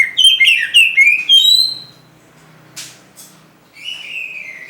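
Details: Caged white-rumped shama (kacer) opens with a quick run of chirpy whistled notes, falls quiet with faint low background hum and a soft noise burst, then gives a short rising whistle.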